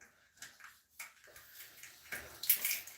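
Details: Indoor water splashing and sloshing in irregular bursts that grow louder toward the end, with no animal voice.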